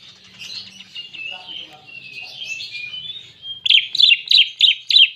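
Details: Soft, varied warbling gives way to a burst of loud, repeated sharp chips roughly three per second; a greater green leafbird with canary imitation in its song.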